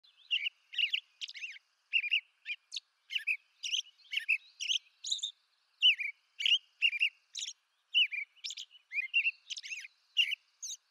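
American robin caroling in a steady stream of short, clear whistled phrases, rising and falling, with thin high squeaky notes between them; no other sounds.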